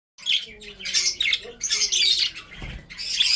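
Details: Breeding budgerigars kept as pets, shown eating food, give dense harsh chirps and squawky chatter in bursts, with a low tonal voice-like sound and a brief thump partway through.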